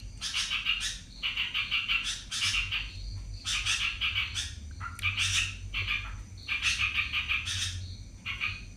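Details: Yellow-vented bulbul delivering fast ropel-style chatter, buzzy and rasping, in rhythmic bursts roughly every second with occasional short whistled notes between phrases.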